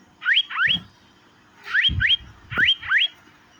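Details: Asian fairy-bluebird, known locally as cucak biru, giving chirps for mastering: three bursts, each a pair of quick rising whistled notes, separated by short pauses, with soft low thuds beneath.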